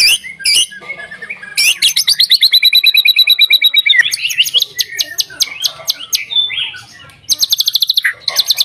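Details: White-rumped shama song for drawing other shamas into song: scattered sharp notes, a long rapid rattling trill, varied whistled and buzzy phrases, a short pause, then another fast burst of high notes.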